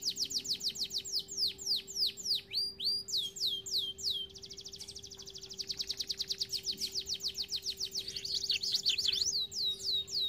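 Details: Canary song for training birds: a long sequence of clear downward-swept whistles, then a rapid even trill and more falling whistles, over a faint continuous hum.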